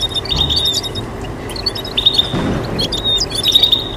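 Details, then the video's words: Goldfinch mule hybrids of goldfinch and canary calling and chirping, with bursts of quick high twitters around level piping whistles roughly every second and a half, a constant electrical-sounding hum beneath. "Combination of the calls and chirps of goldfinch mules"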